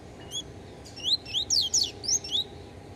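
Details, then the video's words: Yellow-bellied seedeater, still showing effects of beak moult, delivers a crisp phrase of about six loud rising whistled notes after a soft opening note. "COLEIRO BAIANO ENCRENCA DANDO UNS CANTOS, SENTINDO UM POUCO AINDA A MUDA DE BICO"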